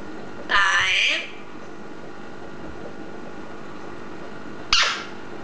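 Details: Pet green eclectus parrot talking: a wavering, voice-like harmonic phrase with shifting pitch lasting about a second, a long pause, then a short sharp high squeak near the end.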